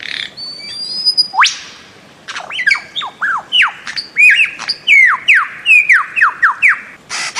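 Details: Bird-of-paradise calling: a loud run of sharp whistled notes, each sweeping steeply up or down, repeated roughly once a second after an opening long thin whistle, with a busy background of other birds.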